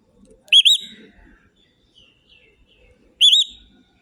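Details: Parrot whistling: two short, loud, wavy whistles with bright overtones, each under half a second, about two and a half seconds apart, with faint low rustling between them.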